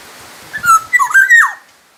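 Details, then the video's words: Black-naped oriole from Sumbawa, kept as a tutor for other songbirds: a single liquid whistled phrase of several linked slurred notes, ending in a downward swoop. "suara burung kepodang emas gacor asli sumbawa masteran kepodang emas"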